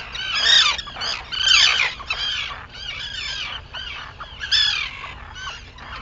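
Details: Arctic terns at sunrise on Seal Island, Maine, 11 June 2018: many harsh, grating, down-slurred calls overlap in a dense chorus, with bursts of louder screeching about once a second.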